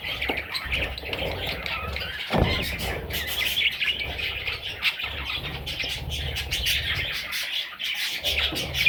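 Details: Continuous shrill, grating chatter from a group of parrot chicks, with one sudden sharp click and faint background rumble.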